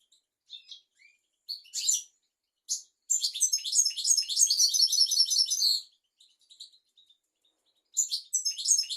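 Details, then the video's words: European goldfinch song for teaching goldfinches and canaries: sharp chirps open, followed by a sustained three-second burst of rapid, jangling twitters, then a pause and a new phrase starting. "تغريد طائر الحسون حفاضة لتعليم طيور الحسون والكناري بدون أخطاء"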